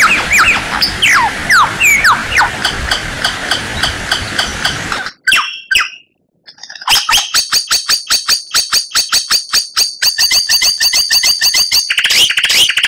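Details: White-rumped shama in a training recording for contest birds: swooping whistles over a hissing background, a brief pause, then a long, rapid, dense series of repeated rattling notes.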